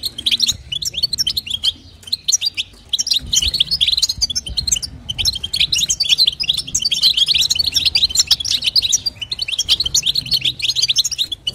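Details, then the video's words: Stimulating call of a female European goldfinch aimed at the male, bitbita and sitsita types: long stretch of busy, high liquid twittering, briefly pausing a few times, over a quiet low hum. "نداء انثى الحسون لتحفيز طائر الحسون | بتبتة وستسته جديده"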